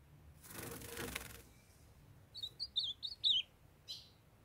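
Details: Wing flutter or rustling opens, then a young male ultramarine grosbeak kept in Brazil gives a short burst of high slurred whistled notes while his female calls to warm him up.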